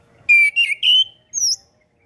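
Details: Orange-headed thrush, a tutor recording for birds just learning to sing. Three loud, slightly wavering whistled notes are followed by a short, very high thin whistle.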